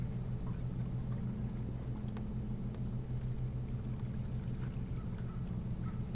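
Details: A constant low engine hum, like a boat or vehicle, drones throughout with a few faint clicks and no animal voices.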